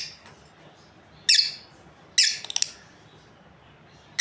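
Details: Pair of breeding lovebirds producing piercing, scratchy chirps, one followed by a quick chattering burst, with a final shrill call at the end.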